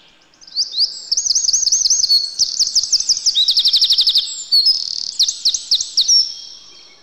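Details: In a yard in winter, a Eurasian wren delivers a long, bright, high-pitched song of quick looping notes, a rattling mechanical trill around the middle, and sharp whistled phrases at the end.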